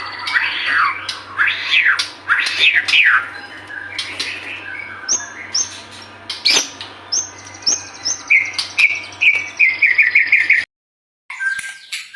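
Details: Persistently singing White-rumped shama used as a lure to make birds sing: loud swooping slurred whistles, then varied chips and a fast series of repeated whistled notes, a brief silent cut near the end, low hum beneath.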